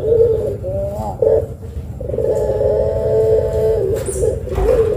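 A turtle dove gives low, mellow coos, with short notes and one long drawn-out, steady coo of about two seconds. A faint room hum runs underneath.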